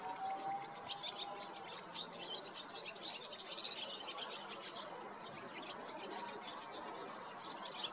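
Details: European goldfinch singing in spring in the Golan Heights, Israel: a fast, tinkling twitter of short high notes in dense bursts, loudest mid-clip, with a brief steady lower whistle at the start and faint background hiss.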